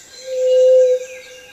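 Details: A Pallid Dove, a ground-dwelling dove, gives its typical low-pitched single hooting whoo, lasting under a second, over faint background hiss.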